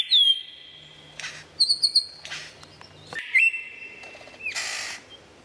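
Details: Lyrebird delivering a medley: long level whistles, short high pips and bursts of harsh noise, with a low steady hum underneath in the first three seconds.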